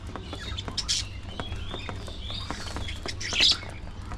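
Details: Budgies chattering during early morning feeding: scattered high chirps and a thin rising whistle, ending in a louder squeaky burst, over a constant low background hum.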